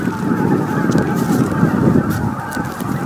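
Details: Greater white-fronted geese gathering at their evening roost on Miyajimanuma, Bibai, Japan, 11 April 2016, 18:00–18:30, roughly 15,000 birds; loud, unbroken babble of honking calls from a massive flock.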